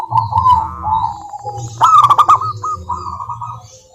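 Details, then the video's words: Local wild zebra dove lure song: soft rolling cooing notes, then a louder rapid flurry and a final quick run of notes, with a low hum in the background. "Perkutut Malas Bunyi dijamin NYAUT GACOR LANGSUNG dengar pancingan masteran Kutut lokal ini"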